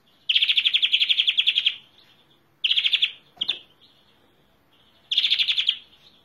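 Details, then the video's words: Greenfinch song of three rapid trills, the first the longest, with a sharp click after the second trill and a faint thin note in the gaps. "Greenfinch Song"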